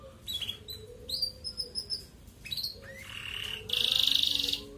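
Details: Red canary singing to stimulate other canaries into breeding, with varied whistled notes and upslurs followed by a loud, fast buzzy trill near the end.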